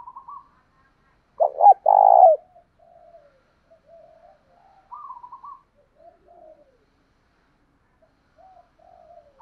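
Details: Spotted dove used as a lure to provoke fighting, loud rural-style voice. One strong phrase: two short clipped notes, then a long, low, throaty coo, followed by softer, fainter cooing notes.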